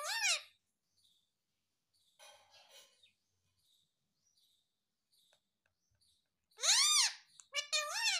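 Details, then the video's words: Rose-ringed parakeet kept at home and taught to say "mummy papa": a short voice-like note, a long quiet stretch with faint rustling, then two loud, rising-falling spoken-sounding syllables at the end. "मम्मी - पापा बोलने वाला तोता"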